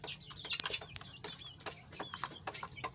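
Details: Fresh chicks squabbling and fighting, a chorus of brief high chirps and down-slurred peeps from several birds at once, mixed with clicks and rustling against a constant background hiss.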